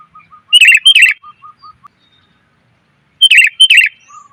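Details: Lure recording of a female sooty-headed bulbul calling to males: two bursts of paired bright chirps, with a faint, steady, evenly repeated lower note from another bird in the background.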